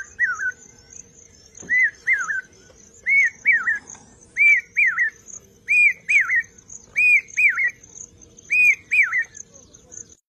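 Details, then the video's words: A common hawk-cuckoo (brain fever bird) gives loud, shrill whistled phrases of two or three notes, each rising then dropping, repeated about every second and a half, over a steady high insect whine; finding: Common hawk-cuckoo. "Common Hawk Cuckoo//Brain Fever Bird"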